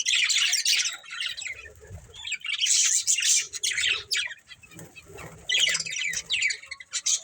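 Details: Budgerigar breeding pair producing bursts of high, scratchy chirping and warbling at the start, middle and end, separated by quieter stretches with soft low rustling.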